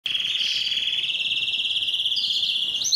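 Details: Belgian canary singing to stimulate females for breeding: a long, steady rolling trill of rapid fine pulses held at one pitch, closing with a few quick rising notes.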